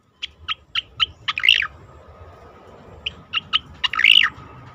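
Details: Song of an Asian pied starling used for training competition birds: evenly spaced clipped notes build into a harsh, bubbling squeal, then the sequence repeats.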